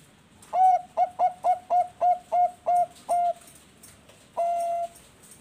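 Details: Farm-bred Bangkok zebra dove in West Java, Indonesia, delivering a lure song: a run of eight quick staccato coos at one steady pitch, a pause of about a second, then a single longer drawn-out coo.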